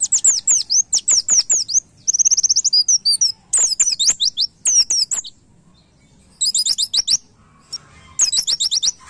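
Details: White-eye master song for training cage birds, to be played daily: long runs of quick, high sweeping whistles, a fast trill in between, and short gaps between phrases.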